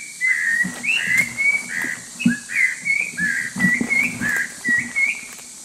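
Orange-breasted laughingthrush giving a rapid run of short, clear whistled notes, each rising or bending, about three per second, over a faint low rumble.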